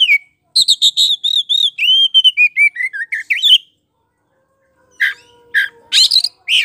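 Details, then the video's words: Oriental magpie-robin (kacer poci) in loud lure song to draw a reply: a rapid, regular string of clear whistled notes sliding downward, a silent pause, then sharp harsh chips. "SUARA PANCINGAN KACER POCI GACOR NGEPLONG BIKIN NYAUT NGOBRA!!!"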